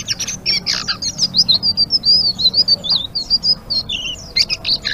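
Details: Continuous chattering song of a blue-winged leafbird, 'ngeriwik' style, made of high, thin twisting whistles and chirps linked into a fast, unbroken stream with occasional lower slurred notes.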